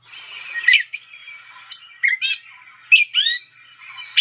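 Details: Gray Catbird song from a Sibley guide recording: a jumble of mimicked squeaky, scratchy and whistled phrases, each given singly with short pauses, about six phrases in four seconds.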